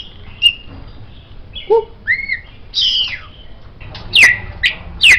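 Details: White-rumped shama, offered as master song for tutoring songbirds: a sparse sequence of separate notes, a low whistle, then rising and falling slurred phrases, finishing with three loud, sharp downswept notes.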